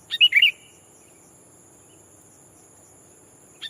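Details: Sooty-headed bulbul used to lure wild birds by calling a rival: one clear, bubbling phrase of quick slurred whistles at the start, then quiet, and the next phrase just beginning at the end, over faint steady high hiss.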